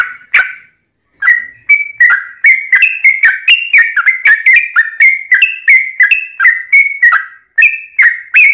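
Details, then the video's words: Fighting song of a Yellow-vented bulbul, meant to goad other bulbuls into replying. A long steady series of sharp, slurred whistled notes, roughly one or two per second, with slight pitch shifts from note to note. "trucukan gacor tarung ROPEL PANJANG buat pancingan trucukan agar bunyi"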